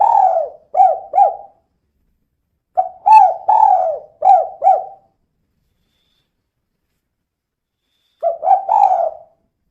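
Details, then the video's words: Persistent 'kuk 2' calling from a female spotted dove, played as a lure so other birds call sooner; repeated bursts of two to five soft, hollow coo notes, some with a downward droop, separated by pauses, with no other sounds. "Suara Burung Tekukur Betina Gacor Kuk 2 Untuk Pancingan Biar Cepat Bunyi"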